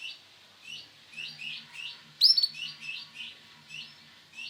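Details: Chirping male canary, Sunkist colour variety: quick, upward-sweeping high notes repeated three or four times a second, one sharp loud note midway, with a low steady hum underneath.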